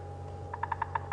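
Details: A bearded woodpecker gives a territorial tapping, not feeding, on a hollow dead tree, possibly a knob thorn, on a sunrise drive on 27 August 2015: six sharp, evenly spaced knocks about a tenth of a second apart, over a low steady hum.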